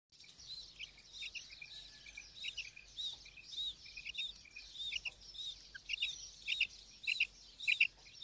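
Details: Female quail calling, high chirped notes repeated in irregular quick bursts, brightening and growing louder toward the end over a steady hiss of background noise.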